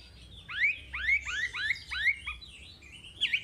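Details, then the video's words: Chinese hwamei, recorded for training young caged birds: a run of rising, upward-sweeping whistles repeated every half second, fading into softer notes with a faint background hiss. "Suara Wambi Gacor Untuk Pancingan Hwamei Bahan"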